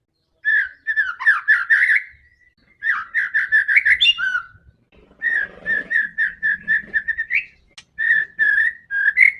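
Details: White-rumped shama in aggressive provoking song: long runs of quick, evenly repeated chirps mixed with rising whistles, in three bursts, with a faint low rustle in the background.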